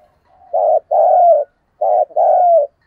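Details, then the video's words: Two mellow cooing phrases from a spotted dove kept as a decoy, each a short burst then a longer, gently descending coo, sung in the thổ voice style used for prodding and calling coos. "Tiếng cu gáy thúc gù và gáy gọi giọng nhạy bổi rất hiệu quả"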